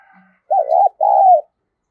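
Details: Spotted dove of the thổ voice style gives two mellow coos in quick succession, the second drawn out and dropping at the end, after faint quiet background tones.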